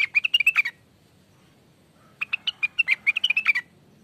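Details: Greater green leafbird song used as a lure recording: rapid bursts of bright chirping notes around the upper-middle range, one burst briefly, then a longer run of quick varied twittering after a pause, over a quiet background.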